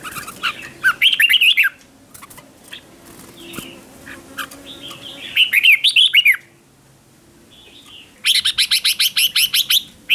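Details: Red-whiskered bulbul singing decoy song to attract other bulbuls, competition style. Warbled phrases of sliding whistles come at one and five seconds, followed by a long, fast, buzzy rattling chatter repeated many times.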